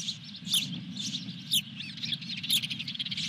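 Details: An osprey at the nest with a fish, Dunrovin Ranch, 23 June 2021. It gives rapid high chirps, about one a second, some with rising and falling slurs, over a low hum and crackling clicks.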